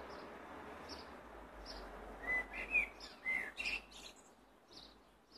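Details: Blackbird singing through a noisy background: a few short, clear whistled notes in a loose sequence, while a thin, high note repeats at a steady rhythm throughout.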